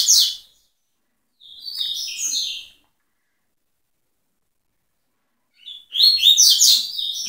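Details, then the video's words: Double-collared seedeater song, tui tui type: loud high chirped phrases in quick rolling series, separated by silent gaps of a few seconds, each phrase bright and twittering. "TUI TUI TOP"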